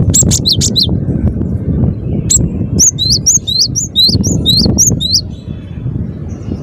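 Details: Cinereous tit singing steadily, short bursts of sharp high two-note phrases repeated several times over a rumbling background.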